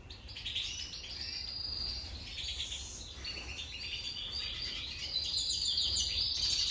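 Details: European goldfinch twittering as it feeds: rapid, jangling high chirps and short buzzy trills running on without pause, growing louder toward the end, against soft background noise.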